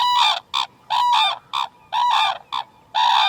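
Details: Red-crowned crane calling in a rapid series of loud bugling honks, long and short notes alternating in a rough rhythm, each call brassy and strongly resonant.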